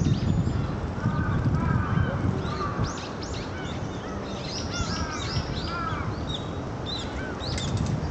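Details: Brown-eared bulbuls, bills yellowed from sipping nectar of Kanzan cherry blossoms, 30 March 2012, give shrill, arching squeals and chattering notes in quick, uneven bursts, over a steady low rumble of wind or distant traffic.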